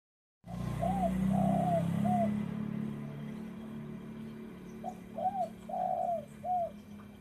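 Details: Spotted dove cooing: a soft three-part phrase of short hooting coos, the middle note longest, given twice with a pause, over a steady low rumbling background.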